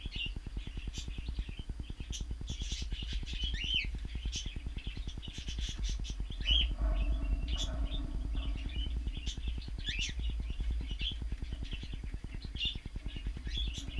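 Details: Several cockatiels in an aviary, filmed by an unattended camera on 14 March 2016, chirp and whistle in short bursts over a steady low mechanical hum.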